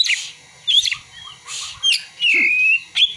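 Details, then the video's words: Oriental magpie-robin (kacer) song containing imitated prinia and sunbird calls: harsh buzzy bursts alternating with thin whistled slurs and a sustained wavering whistle, delivered in short phrases separated by brief pauses. "Kacer (materi ciblek dan kolibri)"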